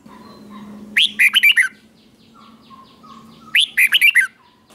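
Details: Red-whiskered bulbul in a cage repeating its double (เบิ้ล) teaching song: two matching phrases of a rising whistle and four quick warbled notes, about two and a half seconds apart, with faint thin whistles between.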